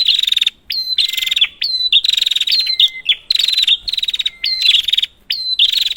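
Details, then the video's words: Prinia in a lure recording for birds that have stopped calling: nearly continuous pulsing buzzy bursts with quick upward flicks, broken by brief gaps and occasional low flat whistles. "Prenjak, Pancingan ampuh untuk burung prenjak macet"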